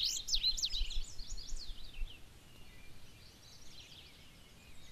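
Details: Indigo Bunting male on territory in a Maine clear cut regrowing after harvest a couple years earlier; a brief burst of high, quick, down-slurred paired notes at the start, fading into faint distant notes and low rumble.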